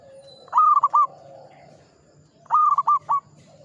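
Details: Zebra dove of local stock in full song, delivering a bright coo, a held note and two quick clipped coos, repeated twice within under four seconds against a quiet background with faint chirping.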